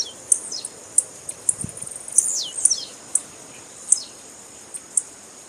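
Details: A female tiziu (blue-black grassquit) calls to excite males kept for tournaments. Piercing high ticks recur roughly twice a second, and a cluster of slurred, falling notes sits in the middle of the run.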